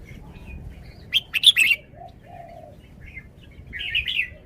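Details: Song of a caged red-whiskered bulbul, shown for its phrasing: a rapid burst of sharp, crackling whistles early, quieter low notes in the middle, then a warbled whistled phrase near the close.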